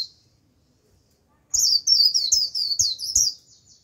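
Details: After a second of quiet, a white-eye lure bird bursts into a bright, high, rapid warbling 'líu' phrase of twittering notes for about two seconds, meant to bring in a wild flock.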